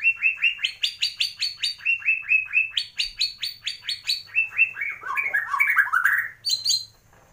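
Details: Borneo white-rumped shama, the big-bodied Murai Batu Gembung endemic to Kalimantan, Indonesia, with a song filled with mimicked swiftlet, fighting sparrow and lovebird calls: a fast series of repeated sharp chirps, then a tumbling, twisting phrase.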